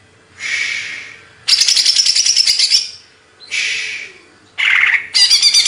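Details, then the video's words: Greater green leafbird from Banyuwangi, Indonesia, delivering raspy, chattering bursts of about a second each, separated by brief silences, with no clear whistles. "Cucak ijo | Hyper Ori Banyuwangi"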